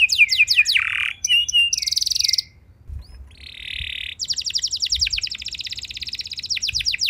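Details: Canary singing to prompt other canaries into song: quick descending whistled notes, a harsh buzzy burst, a short gap, then a long rapid high trill of rattling notes, faint low hum underneath.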